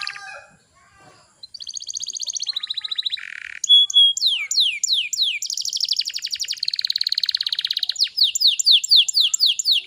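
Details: A canary's varied song, offered to young canaries to prompt them to sing. A faint start builds into buzzy high rolls and a low rattle, then rapid repeated swept notes and dense trills.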